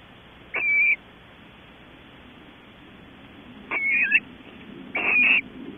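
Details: Barn owl at a nest box webcam at Audubon Starr Ranch, California, during evening activity around mating; three short, thin, slightly wavering calls, the last two longer and doubled, separated by pauses over a steady low hum.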